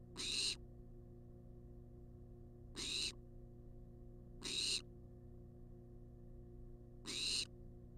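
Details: Wild barn owl begging for food in a research nest box on a live camera: four loud, hissing screeches spaced one to three seconds apart, each short and harsh, with a low continuous hum throughout.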